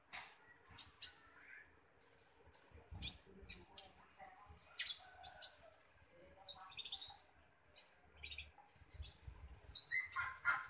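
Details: Common iora being fed, uttering sharp, high, clicking chirps with short squeaky whistles, in quick irregular bursts that grow busier toward the end.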